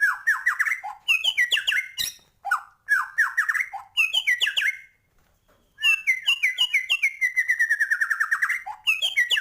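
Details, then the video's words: White-rumped shama delivering energetic full song: repeated bursts of rapid descending chattering notes, a harsh squawk, then a long trilled run after a brief silence. "Murai batu gacor,, full isian cepet naikan emosi burung"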